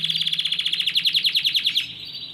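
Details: Yellow Belgian canary in full song: a loud rapid trill of ringing notes, about ten per second, ending in a held buzzy tone.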